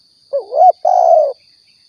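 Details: Spotted dove recorded as a Riau hunting lure: one soft phrase, a wavering two-part rising coo and then a long level cooo that sinks slightly at the end, with a thin constant high whine.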